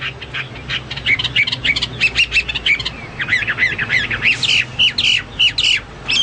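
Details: Hwamei song for training pet songbirds: a jumble of rapid, harsh chattering notes that builds into louder, clearer whistled phrases with abrupt upward slurs.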